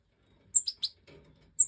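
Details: European goldfinch chicks, Major type, five young just out of the nest being fed by the hen in an aviary during 2024 breeding; a high, sharp chirp and two quick squeaky notes, then a closing high chirp.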